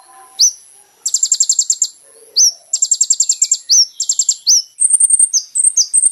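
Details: Olive-backed sunbird (kolibri ninja) song for training caged birds: high buzzy trills of rapid pulses broken by sharp upswept whistles, ending in a string of short high chirps.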